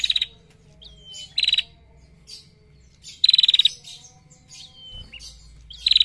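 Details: Short, rapid ticking bursts from a female bar-winged prinia in 'ngetir' style, several clusters of crisp high clicks spaced irregularly, mixed with thin descending whistles and faint chirps.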